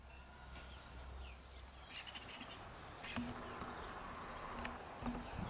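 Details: Common starlings around a nest box fixed to a tree, busy fitting out the nest and finding food for their young; faint scattered whistles and thin sweeping notes, with a burst of dry clicking rattles near the middle, over a low steady hum.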